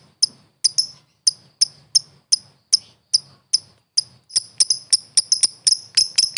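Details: Competition lovebird, called a world champion, giving sharp, high chips about every third of a second that quicken after four seconds into a dense, rapid run of chips.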